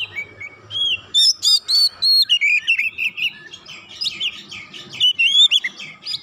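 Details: Oriental magpie-robin, stirred up by a rival, pouring out its song: clear high whistles and twisting slurred phrases, strung into a fast, irregular sequence of short bursts, with a faint low hum underneath.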